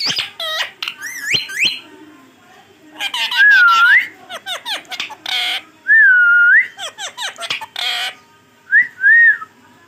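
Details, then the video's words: Pet green ringneck parrot mimicking many words indoors: rapid speech-like chatter mixed with clear whistled phrases that dip then rise, repeated several times, some loud harsh bursts between. "boline wala tota😍 check karen kitne words bol Raha he full Talking of my parrot"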